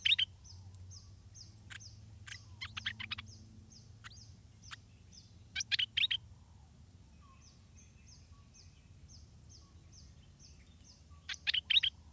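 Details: A Stripe-throated bulbul chick being fed by its parents at the nest gives thin, high, downslurred peeps about twice a second, broken by a few louder bursts of sharp, scratchy chatter.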